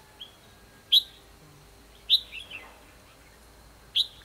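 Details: Red-whiskered bulbul singing in a fighting contest while trapping, 24 December 2015: three sharp, bright notes about one and a half seconds apart, one followed by a short falling warble.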